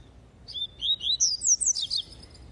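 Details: Double-collared seedeater singing a tui tui style song: a quick run of high, clear whistled slurs, first falling then rising into sharper upswept notes, about six notes in under two seconds over a quiet low hum.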